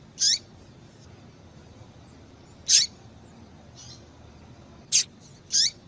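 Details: Female yellow-bellied seedeater (papa-capim) call, used to excite and stimulate males: short, sharp, high chips with a brief falling tail, given singly every one to two seconds over a quiet background.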